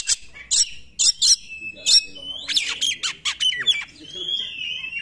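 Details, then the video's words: Oriental magpie-robin singing, used as a lure to provoke other magpie-robins into song: sharp high chips, then a loud burst of varied whistled and buzzy notes with sliding phrases. "KACER NEMBAK, UNTUK PANCINGAN KACER YANG TIDAK GACOR"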